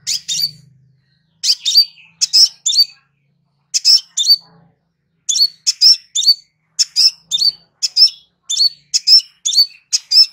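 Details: Crimson sunbird singing a relaxed song used as a master recording for training birds: bursts of very high, sharp chirps in twos and threes, each ending in a thin upward-flicking note, repeated steadily for about ten seconds.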